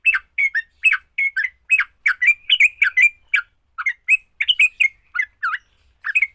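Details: Sooty-headed bulbul giving a fighting-style song meant to get other bulbuls singing: quick bubbly, slurred notes in short clustered bursts, rising and falling, with brief gaps between phrases.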